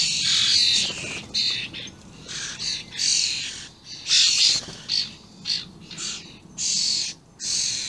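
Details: Common starlings, juveniles and adults together, 28/05/16: a dense series of grating, hissy shrieks, short and long bursts alternating, near-continuous over eight seconds.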